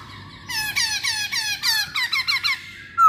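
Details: Masked laughingthrush, kept bird, singing a lure song used to set other birds singing: a run of about a dozen quick, squeaky, down-slurred whistled notes in steady rhythm, ending in one louder sharp note.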